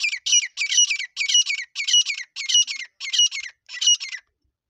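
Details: Grey francolin (desi teetar) calling in Sindh, a sound used to lure birds for hunting: loud, harsh, high squawking phrases, each a quick run of two or three ringing notes, repeated about every half second without pause.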